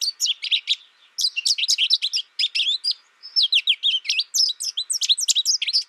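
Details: American goldfinch twittering in three energetic bursts of high, bright chirps and rising-falling slurs, separated by short pauses of about a second. Lively and rambling, with a clean, quiet background.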